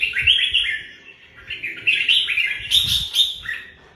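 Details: Continuous chattering warble from a red-whiskered bulbul: rapid, bubbly whistled notes run together, rising and falling quickly, with a few louder sharp notes near the end.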